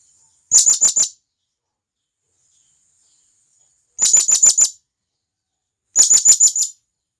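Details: Wild blue-crowned hanging parrots calling to companions, used as a lure recording: three bursts of four to five rapid, shrill, very high notes, spaced a few seconds apart, with silence between.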